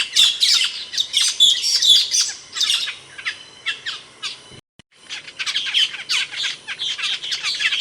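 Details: Asian glossy starling, known in Indonesia as cucak keling for its loud, sharp voice: rapid shrill chirps and harsh squawks in busy bursts, a brief gap midway, then more high chattering.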